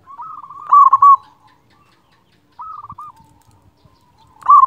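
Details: Local zebra dove with a powerful voice, used to spur silent doves into singing: a loud rippling trilled coo phrase, a pause, a shorter trilled phrase, then another loud phrase beginning at the end.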